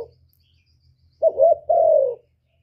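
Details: Spotted dove cooing, a call used as a lure for trapping and to stir up caged doves: a short low gurgling note, then a longer falling coo, both mellow and clear against a quiet background.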